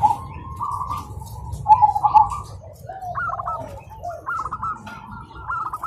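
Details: Zebra doves trading songs in the morning: a lower bubbling coo followed by higher stuttering trilled phrases from another bird, repeated in quick succession over quiet low noise.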